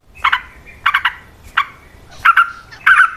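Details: Yellow-vented bulbul fighting song meant as a lure to start other bulbuls singing; harsh, throaty double chirps repeated roughly every half second, getting louder and fuller toward the end.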